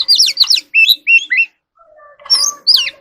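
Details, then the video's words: Oriental magpie-robin singing in the evening: rapid warbled high phrases with rising and falling slurs, a short gap, then more whistled notes. "Choè than hót múa buổi chiều tối"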